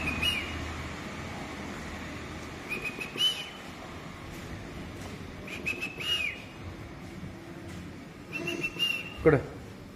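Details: Red-vented bulbul in the morning giving short, bright chirps every two to three seconds, with sharp rustling bursts between them and low background hum.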